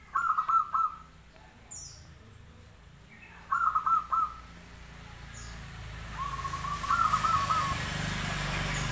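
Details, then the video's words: Local zebra dove in active song, giving three bubbling cooing phrases of a few quick pulsed notes about three seconds apart, as a rising hiss of background noise builds toward the end. "perkutut gacor lokal"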